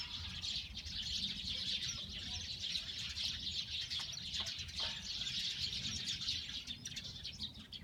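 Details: Eurasian tree sparrows calling: a dense, continuous stream of high, sharp chirps overlapping throughout, with a steady low rumble of background noise underneath.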